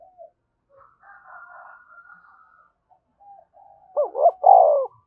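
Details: Spotted dove in thúc bổi style; faint scattered bird notes and a thin whistle come first, then near the end one loud phrase of a wavering double note and a rich, falling hollow coo.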